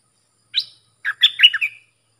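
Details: Bulbul song played for training hand-fed chicks and fledglings and for luring fierce wild birds. One short rising note, a pause, then a quick run of five bright, slurred chirps. Background is silent.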